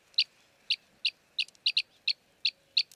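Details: Arabian green bee-eater in Jeddah, Makkah Region, Saudi Arabia, where it is a common breeding resident: short, bright chirps given singly or in quick pairs, about nine in three seconds at an uneven pace, over quiet background.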